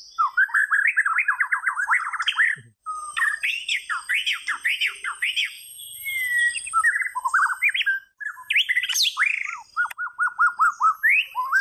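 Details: White-rumped shama delivering a dense, nearly continuous stream of jumbled whistles, harsh squawky notes and rapid trills, varying pitch constantly with barely any pauses.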